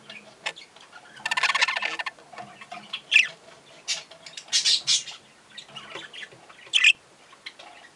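Young budgerigars chatter in harsh, scratchy squawks and brief high chirps, irregular bursts every second or so, with a louder rasping buzz early on.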